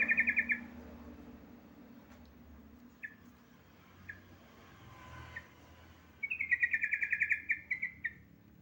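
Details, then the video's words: A female yellow-vented bulbul calls a male with a fast bubbly chatter at the start, a few isolated sharp chips, then a longer rolling run of rapid notes that trails off. Steady low background hum. "BURUNG TRUCUKAN BETINA MEMANGGIL JANTAN"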